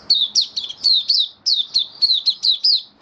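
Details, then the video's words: Caged white-eye on 18 May 2022, freshly through a deworming course, pouring out a steady string of a dozen or so piercing, descending chirps, closely spaced and evenly loud throughout. "Mata Puteh Kitaro buka sing"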